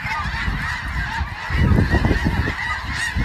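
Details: Snow geese calling in a flock, overlapping honks and yelps over a steady low rumble of wind or handling noise, louder from the middle onward.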